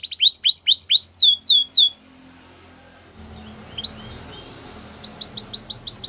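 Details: Belgian canary giving a short burst of loud, repeated, falling whistled notes. A quiet pause with faint background hum follows, then softer repeated chirps return near the end.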